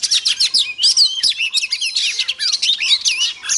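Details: Female Oriental magpie-robin heard as a lure for males: a fast run of sweet whistled slurs mixed with scratchy chirps, delivered almost without a break.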